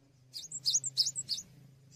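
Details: Cinereous tit, lively tutor song for songbirds: four high, sharp chirps in quick succession, each trailed by a thin whistle, over a soft low hum.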